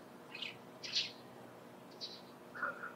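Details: Dusky thrush near Lake Hamana, Japan, in March: four brief, sharp high chirps spaced irregularly over three seconds, the last pair slightly lower, against soft background hiss.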